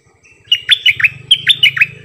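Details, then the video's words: Two quick groups of four bright, bubbling whistles from a cream-vented bulbul in double song, 18 June 2021, over a soft low buzzing. "เสียงนกดอกแตงEp.59 Birds sounds เพลงเบิ้ลของเจ้าเพชร!!Merbah lekir gacor"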